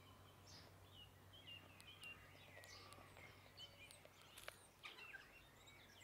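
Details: Tui congregating in a kowhai tree on a hot summer day, feeding on nectar, make a busy mix of short whistles, wheezy notes and dry clicks across six seconds against a faint low hum.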